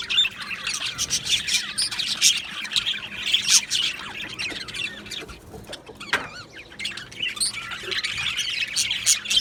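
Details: Budgerigars, Australian parakeets kept in an aviary colony, chirping together in a dense continuous chorus of high, warbling chirps and squawks, overlapping without pause, with sharp clicks scattered through.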